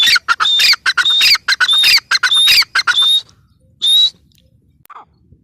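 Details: Grey francolin: a loud, rhythmic series of harsh, high-pitched notes with ringing whistled tones, roughly three seconds long, followed by one separate note and a faint short call against a quiet background.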